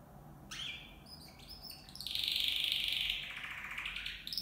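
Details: Copper mosaic canary song from a flight cage holding two males and two females: a few separate high chirps, then a loud, steady rolling trill lasting about a second before fading.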